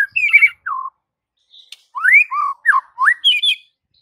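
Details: White-rumped shama master song meant to draw silent birds: separate clear whistles, some falling, some rising steeply, with a short buzzy phrase at the start and a pause midway.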